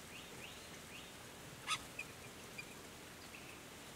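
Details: A White-naped honeyeater at a birdbath on a habitat-restored property in the Capertee Valley, NSW, between late May and early October 2018, gives one sharp, clipped call, then two softer short notes over faint high twittering and hiss.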